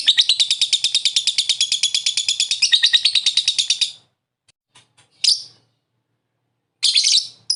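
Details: Lovebird in its ngekek trill, used to prompt another lovebird to call. A long, fast, high rattling chatter of about three notes a second lasts four seconds, followed by two short harsh calls.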